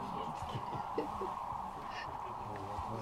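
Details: Sandhill cranes at Rowe Sanctuary near Gibbon, Nebraska, on 13 March 2014: a huge flock's continuous rolling, trumpeting chorus, many overlapping rattling calls merging into a steady roar.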